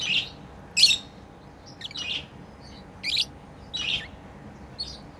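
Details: Pet lovebirds playing give steady harsh, buzzy chirps about every second, loud rasping notes with a few fainter squeaks between them.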